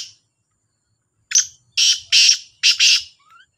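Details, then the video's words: Black francolin (kala Sindhi teetar) calling against a rival: a short lead note followed by four harsh, buzzy notes in two close pairs, then quiet. "2 تیتروں کا بولائی کا مقابلہ | kala Sindhi Teetar ki Awaz | Black Francolin Voice"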